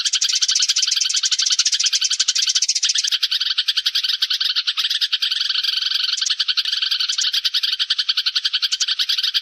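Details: Sparrow flock call used as a trapping lure: a long, unbroken chorus of rapid chirping from many birds, starting as a hissy wash and settling into clearer, quick, bright chattering notes.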